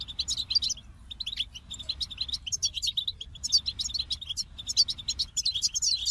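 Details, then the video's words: Goldfinch pouring out a jangling, high-pitched twitter of short chirps and trills, coming in bursts separated by brief gaps. "The Captivating Call of Goldfinches"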